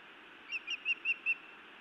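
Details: At a Montana nest, a female osprey scolds her mate on a May 2017 evening: five slightly softer whistled chirps, evenly spaced, set against steady low hiss.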